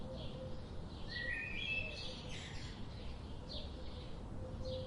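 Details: High downslurred bird chirps with a short stepped, rising whistle early on, then scattered chirps continue over faint low noise.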